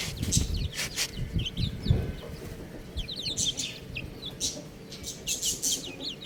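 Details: Young chicken chicks peeping: short, high descending notes, clustered in the second half, while louder thumps and rustling bursts break in early on.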